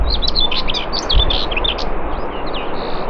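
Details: Common whitethroat at Morte Hoe in Devon, UK, delivering a dense, rapid, scratchy warbled phrase of tumbling high notes lasting about one and a half seconds, then a few thin trailing chirps against steady wind noise.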